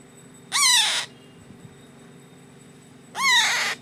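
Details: Baby parrot, 25 days old, at hand-feeding: a pair of raspy, buzzing begging squawks with an arched pitch, separated by a pause of over two seconds, with a soft low hum between them.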